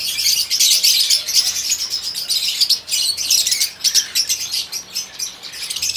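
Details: A crested, yellow-beaked, fawn pied male zebra finch sings a rapid, buzzy string of high chirps and nasal notes.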